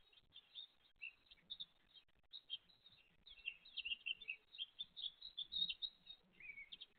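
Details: A great tit parent with chicks, recorded 29 April 2023; scattered thin high chirps that build into a dense, excited chatter of short squeaky notes toward the end.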